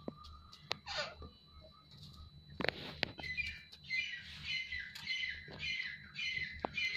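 Grey francolin giving harsh, ringing call notes that run together into rapid repeated phrases, with clicks and a low steady hum behind.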